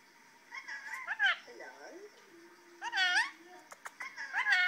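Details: A pet male rainbow lorikeet gives harsh, warbling calls in short bursts, some rising and falling, answering a played video of another rainbow lorikeet in a small room.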